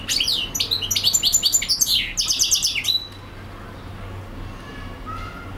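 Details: Continuous song of a European goldfinch, three seconds of rapid, tinkling twitters and metallic chirps strung together, then quiet with only a faint distant note near the end.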